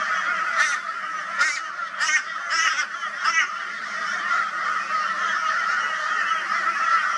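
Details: Crows harassing a barn owl in Brisbane, Australia, on 22 February 2022. Five or six sharp, separate caws stand out in the first three seconds over a constant background din of distant raucous calling.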